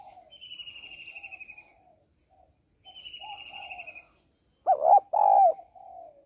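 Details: Female spotted dove calling to rouse males: gentle, throaty low coos in short runs, then two loud, abrupt coo notes near the end, interleaved with a higher falling trill from another bird.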